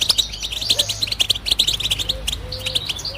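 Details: Goldfinch song called betbta: quick bursts of bright, high twittering and jangling notes, with a few soft lower slurred calls in the background.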